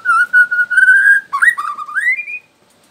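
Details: White-rumped shama, a young wild bird from Borneo used to prompt other shamas to sing, giving pure steady whistles that break into a rising, wavering whistled phrase before silence.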